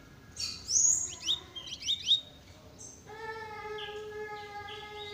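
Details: Double-collared seedeater giving a rapid velocista-style burst of high chirps and slurred twitters, then falling quiet as a steady electronic-sounding tone with faint soft notes continues to the end.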